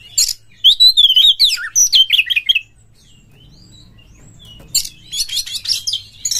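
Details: Lure recording of a kacer, the Oriental magpie-robin, to boost fighting emotion: a loud run of rolling, wavering whistled notes for over two seconds, a quiet pause, then harsh high chattering bursts.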